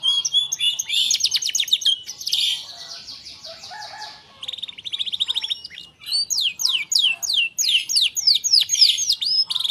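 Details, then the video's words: A canary, a strong singer used as a lure to prompt other canaries to sing, gives a rapid, varied song of high rolling trills, chirps and sweeping whistled notes, several phrases per second, with no other sounds. "kenari gacor untuk pancingan Kenari macet bunyi"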